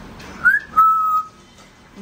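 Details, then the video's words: A female pet African grey parrot, praised as a good girl while being coaxed to talk, gives two clear whistles: a short upward-sliding note, then a longer steady tone held about half a second, over a quiet background. "African Grey: A feathered chatterbox spreading joy one word at a time!"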